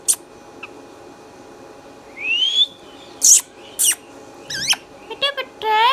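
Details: Green Indian ringneck parakeet, a pet, with a rising whistle, several sharp squawks and screeches, then rippling warbled notes and a closing tonal whistle, in a quiet indoor setting.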